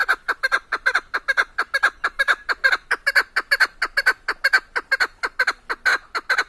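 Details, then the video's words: Hunting hen Chukar partridge, called keklik, from Tajikistan gives a fast, loud, evenly repeated series of rasping chuck notes, roughly two per second, continuing without pause against a quiet background. "Садои Модкабки Шикори Голос птиц как поёт горная Куропатка Кеклик Keklik Partridges in Tajikistan"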